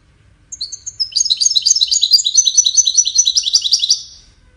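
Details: Singing goldfinch, whose song serves courtship and communication. A few thin high whistles lead into three seconds of continuous, liquid twittering with rapidly repeated cascading notes, in a quiet setting.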